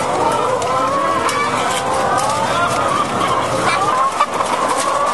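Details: Caged egg-laying hens in a French farm shed in February 2012, a mass of overlapping nasal squawks and short clucks, steady and crowded, with faint clatter and background machinery.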